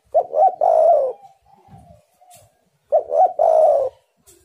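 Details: Spotted dove lure call for wild doves: two phrases of low coos, each a quick double note followed by a long, even, mellow coo, with faint softer notes between phrases.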